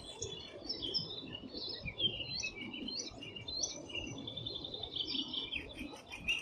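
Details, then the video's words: Thrush nightingale (Luscinia luscinia) recorded in Bryansk, singing a fast, varied string of high whistles, chirps and trills without pause, over a low background rumble. "Голоса птиц. Соловей. Birds' voices. Nightingale. (Luscinia luscinia)"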